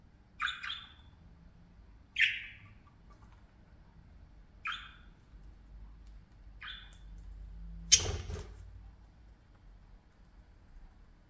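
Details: Parakeets playing give four brief, rasping squawks about two seconds apart, followed by a sharp clattering knock and then quiet.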